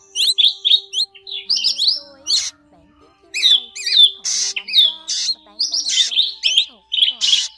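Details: Drongo flock-calling sound used for trapping birds with nets. Quick runs of chattering chirps and rising whistles are broken by loud harsh rasps, with a pause near the middle and a faint low hum throughout.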